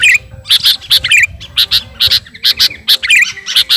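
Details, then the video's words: A sooty-headed bulbul, garuda type, challenging a rival with clipped, high chirps in pairs and triplets, broken by short bubbly warbled flourishes, about one burst per second. "Burung kutilang garuda gacor memanggil lawan"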